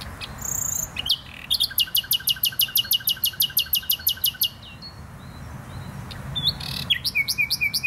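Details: Nightingale song recorded in Poznań's Botanical Garden: a rapid train of some twenty loud repeated sharp notes, about five per second, followed by a quieter pause and a new phrase of rising chirps and short whistles.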